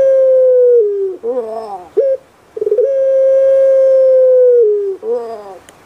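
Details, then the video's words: Captive puter pelung dove from Java, Indonesia, singing its characteristic kuk gerukkk kwokkk: a drawn-out smooth hoot dropping slightly, a quavering gurgle, a brief note, then a second long even hoot and another gurgle. "PUTER PELUNG SUARA EMPUK RASANYA PAS DI HATI"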